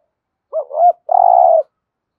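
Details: Decoy spotted dove giving 'thúc gù' cooing, used to lure wild doves: a short two-part coo, a quick rising note then a swelling one, followed after a brief pause by a long, steady, throbbing coo. No other sounds.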